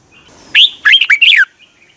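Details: Single phrase of Red-whiskered bulbul song from Thailand, used to excite caged birds. A rising whistled note is followed by three or four rapid, rich warbling notes, ending in a falling slur, against a quiet background.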